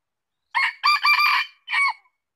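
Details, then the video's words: Red junglefowl gives one crow: a short harsh syllable, a longer rough stretched note, then a clipped last note, against a silent background. "Suara ayam hutan | Chicken fowl sound"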